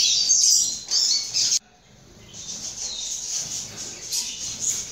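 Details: Young second-generation double-collared seedeater giving a quick burst of high, rapid chirping that stops abruptly, followed by softer, fainter twitters.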